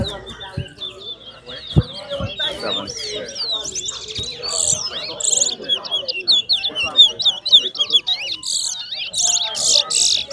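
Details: Competition towa towa (large-billed seed finch) pours out a long, fast warbled string of whistled slurred notes, with sharp clicks, crackling noise bursts and people talking quietly nearby.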